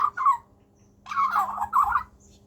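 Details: A baby Australian magpie, one of a visiting family of three, chatters back to a person in harsh, warbling bursts, one short and one longer rolling phrase, while other birds feed nearby; low background hum.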